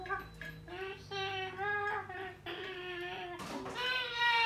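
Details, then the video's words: A male cockatoo sings in a humanlike voice: sustained, wavering notes in several short phrases, with a brief harsh squawk near the end. "Cockatoo singing"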